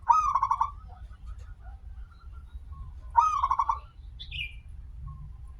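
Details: Local zebra dove singing as a lure for other zebra doves: two rolling phrases of a rising note and rapid pulsed coos about three seconds apart, with a brief higher chirp from another bird.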